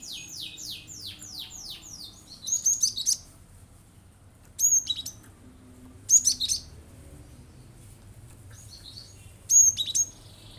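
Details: Cinereous tit in lively song meant to provoke other birds into singing: a quick run of descending whistled notes, then sharp, high chattering bursts repeated at irregular intervals of about two to three seconds, with quiet gaps between.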